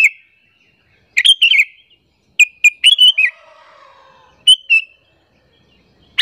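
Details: Provoking lure call of the sooty-headed bulbul, used to entice other bulbuls: lively clusters of fast, warbling chirps, several phrases in quick succession, with a faint lower whistle sounding softly in the background mid-clip.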